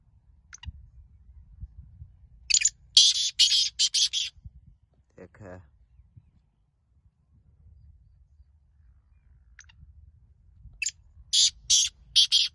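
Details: Competing black francolin (kala teetar) at a calling contest, producing grating buzzy notes in a rapid run of five or six, a brief low sound midway, then another fast burst of harsh notes.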